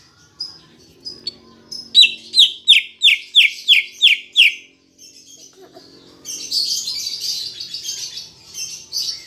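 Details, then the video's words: Lure recording of green leafbird song to encourage kept birds to sing: a fast run of about nine loud, evenly spaced downslurred whistles, then softer chattering and a busy high twittering passage. "Pancingan Cucak Ijo Biar Bunyi dan Cepat Gacor"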